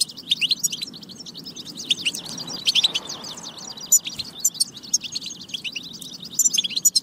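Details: European goldfinch batba for stimulating singing and readiness; busy rapid twitter of tinkling and buzzy notes, briefly softer around two to three seconds, then loud chirps again.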